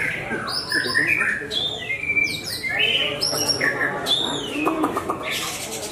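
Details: Caged Javan white-rumped shama of the Larwo type singing at a bird contest: clear whistled notes, sweeping and sliding between low and high pitches, over a steady murmur of crowd voices and other noise.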